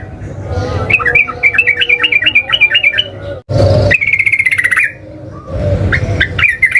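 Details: Sooty-headed bulbul singing in a fighting mood, meant to provoke other bulbuls into answering: bubbly, warbled phrases repeated in quick bursts, a pause, then a steadier whistled run, over a low background rumble.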